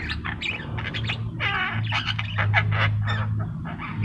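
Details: Javan myna singing energetically with rapid, coarse, nasal chattering and harsh squawks repeated in quick irregular bursts, accompanied by a steady low droning hum.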